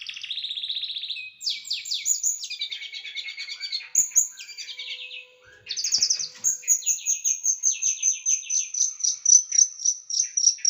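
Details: Small bird singing a tutor song for training pet birds, with sharp, dense, rough bursts: a steady high trill, then fast varied chattering phrases and a long run of quick repeated high notes, clean background.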